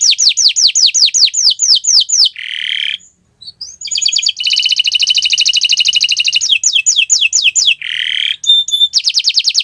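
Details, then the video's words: Friday-morning canary song with varied phrases: quick downward sweeps, a harsh buzzy burst, a brief pause, then a long rapid trill, more falling slurs and another buzzy note. "Gacoran Burung Kenari di Jumat pagi"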